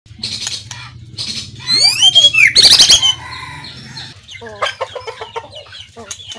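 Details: White-rumped shama singing on 17 April 2024: varied whistled phrases with steep sweeping notes and rapid slurs, mixed with sharp clicking notes and a low steady hum underneath.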